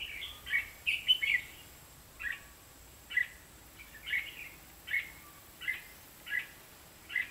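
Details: Decoy red-whiskered bulbul singing while a trap is set, 23 October 2016; short, clear warbled phrases about once a second, one quick burst of several notes first, over low steady noise.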